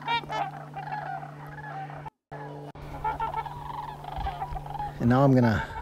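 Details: Trumpeter swans at Crex Meadows, western Wisconsin, on about 14 October amid peak fall colours after rain and overcast, give repeated nasal, horn-like honks from several birds, ending in a louder, drawn-out honk, over a steady engine hum.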